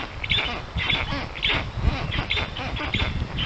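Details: A strange black stork at a nest of storklets in Puszcza Notecka, Poland, 13 June 2019: grating, broadband rasps repeat several times a second over a strong low rumble.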